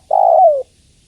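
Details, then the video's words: Female spotted dove calling to the male: a single low, smooth coo lasting about half a second, steady at first and then sliding gently down in pitch, in otherwise quiet surroundings. "Suara Tekukur Betina Memanggil Jantan"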